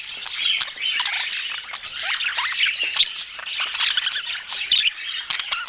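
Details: Lively budgerigar chatter: quick, high-pitched chirps and rasping squawks overlap without a break, rising and falling in loudness every second or two.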